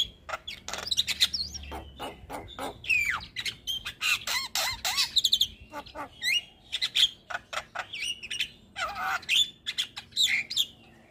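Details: Javan myna in nonstop chattering song, made as tutoring material for young birds: rapid harsh, buzzy notes mixed with squeaky rising and falling whistles, delivered in dense bursts with brief gaps, and a low hum underneath.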